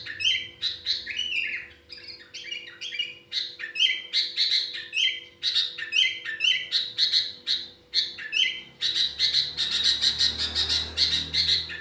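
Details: Sooty-headed bulbul singing a song filled with trocok phrases: rapid chirpy, twittering bursts with short rising and falling whistled notes, about two per second, growing denser and buzzier toward the end, over a faint steady low hum.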